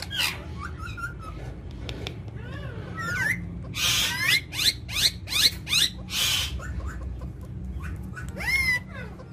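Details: Talking parrot giving a mix of sharp rising whistles and harsh, noisy screeches in short bursts, several squawks clustered in the middle, over a steady low background hum.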